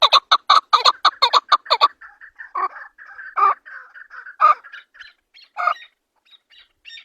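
A chukar gives a rapid run of harsh chuck notes, about six a second, then slows into softer, scattered clucking notes.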